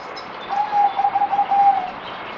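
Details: Merbok, a zebra dove, on the fourth day of deworming, 17 April 2020: a soft, rapid, stuttering coo of pulsed notes at a steady mid pitch, lasting about 1.5 seconds over a faint background hiss.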